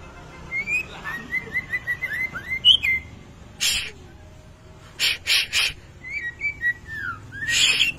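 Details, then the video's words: Singing white-rumped shama on a kretetan-style lure recording for training: a quick string of short whistled notes rising and falling, broken by loud harsh bursts of noise, then more slurred whistles. "masteran pancingan kretetan burung murai batu gacor"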